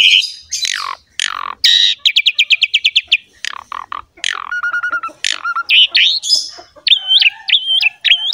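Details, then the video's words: Rich song of a Javan pied myna meant to prompt other mynas to sing: harsh squawks, a long even series of rapid chips, level whistles and repeated rising-falling looped whistles toward the end. "MASTERAN JALAK SUREN GACOR FULL ISIAN MEWAH INI"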